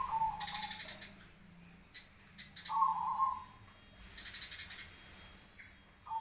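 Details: A Cemani zebra dove answering other doves gives soft, melodious trilling coo phrases roughly every three seconds, against bursts of hissing noise and a low steady hum.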